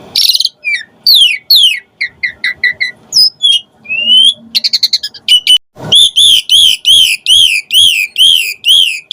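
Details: Asian pied starling in full varied song used as a lure: jumbled chirps and rising whistles, then a fast series of identical arched whistled notes repeated about twice a second.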